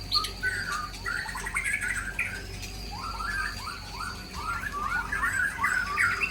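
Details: White-rumped shama from Aceh, Indonesia, singing mimicked fills: quick series of short chattering notes repeated about three times a second, quieter in the middle, then a busier burst of twittering toward the end.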